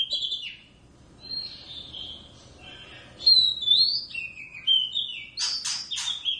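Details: Oriental magpie-robin from a captive wild pair singing indoors: sustained whistled notes gliding up and down, growing louder into rapid rich phrases with harsh scratchy bursts near the end.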